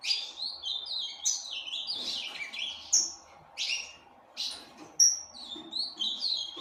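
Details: Captive Ultramarine grosbeak breeding bird produces a tumbling warble, then several spaced loud phrases and a final run of bright sliding whistles; soft low hum beneath.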